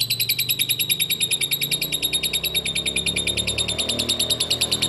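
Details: Lovebird ngekek, a lure to get other lovebirds singing: a continuous, very rapid, high chattering trill with even pulses over a low hum.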